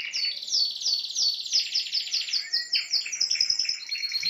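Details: Spanish timbrado canary in full song, delivering a dense, high, metallic rolling trill of rapidly repeated descending notes that shifts into a quicker, higher trill near the end.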